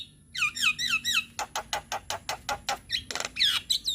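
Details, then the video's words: Javan myna song, a lure to get a young bird singing: curved whistles at the start, then a steady train of harsh rasping notes about five per second, with a faint constant high tone behind. "Suara Pancingan Burung Jalak Kebo Muda Biar Cepat GAcor"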